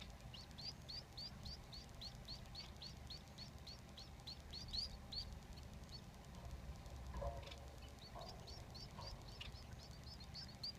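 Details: Society finch father feeding three chicks in the nest; the young give fast, high, hooked chirps in a steady run for several seconds, fall quiet amid some rustling, then start chirping again more softly.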